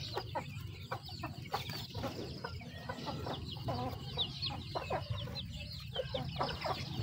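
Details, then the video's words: Chickens eating, with soft repeated clucks, pecking taps and occasional higher chirps over a strong low rumble throughout. "The sound of chickens eating"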